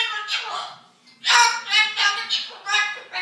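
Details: Cockatoo mimicking a couple arguing, with harsh, voice-like squawked phrases in short bursts after a quiet pause, rising and falling like raised human voices indoors.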